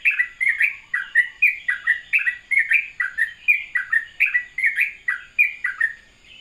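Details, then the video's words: Sooty-headed bulbul delivering a gentle morning ropelan: closely spaced, bright warbling notes, each with a quick downward slur, repeated rapidly and evenly before trailing off at the end. "ropelan syahdu trucukan dipagi hari"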